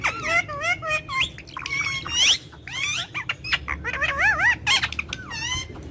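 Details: Pet Indian ringneck parakeet in a courtyard, talking in Urdu/Hindi: wavering, warbled voice-like phrases and sliding whistles, mixed with harsh squawks and clicks, over a low rumbling background.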